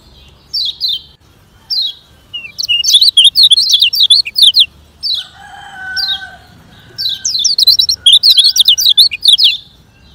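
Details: Lemon-bellied white-eye from Lombok singing fast as training audio for slow birds: separate downslurred high whistles, then dense bursts of rapid, jumbled high twittering notes, with a steady lower tone partway through that sounds like a rooster or other fowl.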